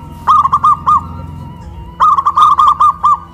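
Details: Local zebra dove from Kuningan, West Java, cooing loudly after being raised high on a pole: two bursts of quick, bubbling, evenly spaced coos separated by a short pause, over a faint low hum.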